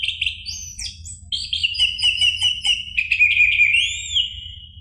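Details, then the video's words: Orange-headed thrush song used as a lure recording to provoke a caged bird into singing: a continuous run of loud, clear whistled notes and slurred phrases, with fast repeated chips in the middle and a rising-falling whistle near the end. "PANCINGAN ANIS MERAH agar Emosi jadi NYAUT BUNYI GACOR NGEPLONG"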